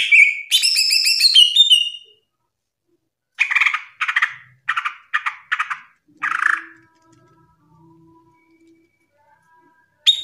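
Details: Kept greater green leafbird (cucak ijo) in ngerplong singing style: a short burst of bright trilled whistles, followed by a series of harsh, rasping notes, and then quiet with a faint low hum.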